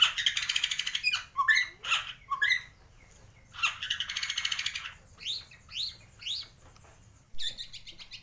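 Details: Kalimantan white-rumped shama of the 'gembung' type, singing with copied swiftlet, fighting-sparrow and lovebird sounds: dense harsh chattering bursts, mixed with quick sweeping whistles and upward-slurred notes, then a sudden high buzzy note.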